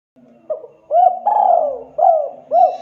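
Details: Spotted dove calling actively to draw other doves into answering: low hollow coos, a faint opening note, two short rounded coos, a long drawn-out coo sliding downward, then two more short coos, clear against a quiet background.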